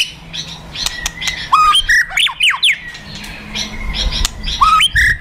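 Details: Fighter white-rumped shama in kretekan and tembakan song used as emotional provocation: loud whistled notes with sharp steep up-and-down sweeps, some clicks, repeated in bursts with short pauses, over a low background hum.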